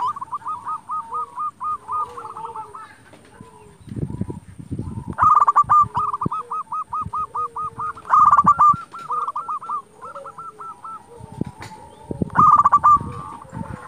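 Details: Local zebra doves singing hard, aimed at making rival doves respond: long trains of short, evenly hooked cooing notes, with loud rattling bursts about every three seconds and a second caller's lower notes beneath.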